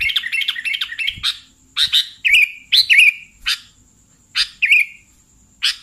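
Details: Call of a sooty-headed bulbul, played as a lure for trapping bulbuls: a fast jumbled chatter opens, then separate sharp chirps with trilled, falling endings come at irregular gaps, with a thin high hum behind.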